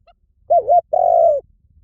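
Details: Spotted dove call: a brief undulating note, a short pause, then a sustained, gently falling coo, clear over a quiet background.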